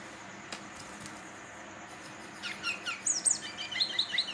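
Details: Young male Brown-chested jungle flycatcher, 3-4 months old, in juvenile spotted plumage, from Banten. Quiet at first, then high, thin chirps and short sweeping notes begin about halfway through and grow busier and louder toward the end.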